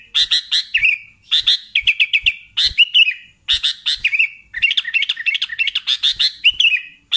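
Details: Sooty-headed bulbul singing actively: bursts of bright, bubbly chirping notes in quick phrases of about one second, with short pauses between, loud and clear and with little background.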